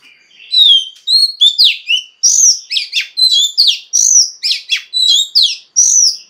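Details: Oriental magpie-robin female singing to spur males into song, pouring out a dense string of bright whistles, chirps and steep down-slurred notes, each phrase clipped short and repeated at an uneven, lively pace.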